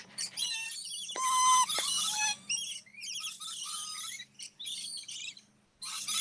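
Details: A loud flock of captive Rainbow Lorikeets, an Australian parrot, at a Florida safari park. Harsh, high, rasping screeches and chatter overlap almost without a break, with a few clearer shrill notes.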